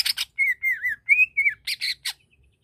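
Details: Song of a greater green leafbird meant to stir another's aggression: short scratchy buzzes, then a run of four sliding, clear whistled phrases, ending in more harsh chattering notes and a quick downward slur.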